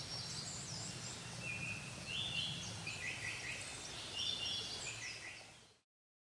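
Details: Japanese paradise flycatcher, a male and female building a nest together on 2019-06-24, giving short, thin high chirps in quick clusters, a few notes rising and falling, over a steady low background rumble.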